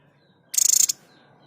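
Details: Sniper or white-breasted tepus singing a tutor phrase for training cage songbirds: one short burst of very high, rapid rattling notes lasting under half a second, otherwise quiet.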